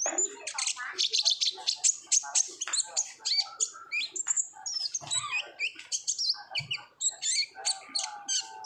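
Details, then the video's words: Olive-backed sunbird singing in lively 'gacor ngobra' style as a lure recording to prompt untrained birds to sing; a fast, nonstop stream of very high, thin twittering notes, scratchy and chattering. "PANCINGAN KONIN GACOR NGOBRA , KONIN BAHAN PASTI AKAN RAJIN BUNYI"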